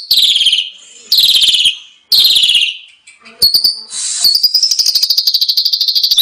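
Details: Asian pied starling training song for caged birds, said to be full of rich fillers: three harsh rasping phrases about a second apart, then a brief scratchy burst and a long, fast, buzzy rattling trill to the end.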